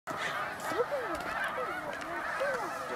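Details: Huge flock of snow geese roosting on a 300-acre lake at sunset, Middle Creek Wildlife Management Area, Pennsylvania, USA: a dense wall of honking, with a few nearer rising-and-falling yelps standing out above the crowd.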